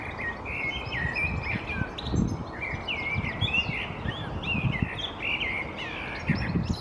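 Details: Common blackbird singing from a perch in a conifer in Helsinki, Finland, in April 2022: rich, fluty warbled phrases, slurred up and down, follow one another almost without pause over a steady low rumble and occasional thumps.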